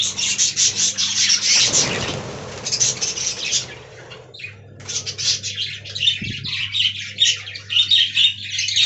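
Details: Captive budgerigars in a colony aviary, pouring out continuous raspy warbling and clicking chatter, with one loud broadband squawk early on, against a steady low background hum.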